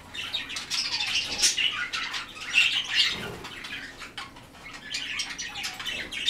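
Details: White-faced cockatiels in a noisy group, scratchy chirps and short shrill whistles overlapping, with some flapping sounds and a brief lull before the chatter rises again.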